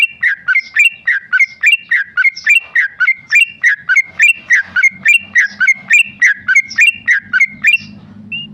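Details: Ropel singing from a tame male Sooty-headed bulbul: bright, bubbling whistled phrases in steady, even rhythm, over twenty in a row, ending with one higher note and soft low background noise.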